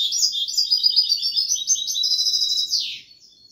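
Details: European goldfinch singing in the song style called kubiya Malaga: a fast, dense run of bright twittering, tinkling notes that ends in a downward slurred note, then quiet.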